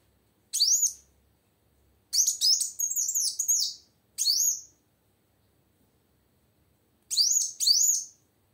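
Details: Female plain sunbird heard clearly, a sound used to draw song from silent males: clusters of very high, quick, upswept chirps separated by long silent gaps.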